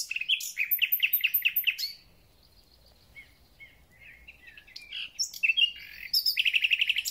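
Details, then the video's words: Thrush nightingale giving its spring concert: a fast run of repeated chopped notes, a short silence, scattered quiet whistles, then another rising burst ending in a dense rattling trill. "Słownik Szary koncert na całego to znak że zaczęła się wiosna"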